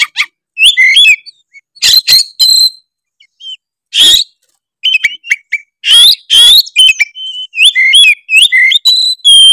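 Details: Tretes-type oriental magpie-robin in vigorous song for provoking other birds: loud harsh rasps alternating with clear whistled slurs and quick twittering phrases, broken by short pauses.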